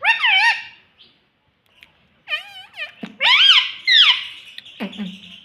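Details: Rose-ringed parakeet mimicking speech, saying mummy papa: bright, rich, rolling phrases with wavy tones, a pause, then a burst of louder rising and falling syllables and a low rough note near the end.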